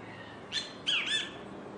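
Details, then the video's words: Kiskadee at a beach gives a brief sharp note, then a loud, slurred two-part squawk, bright and fairly high, over a low steady background hiss. "the sweet chirping of the kiskadee bird"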